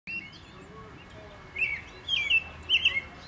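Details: A European robin perched on a fence sings at length: three short, thin, high twittering phrases, each about a second apart, over a faint steady background whine and low rumble.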